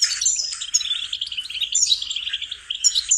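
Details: Training song of a goldfinch for songbirds, a lively twittering phrase with a rapid rattling stretch, a brief dip, then sharp high chirps.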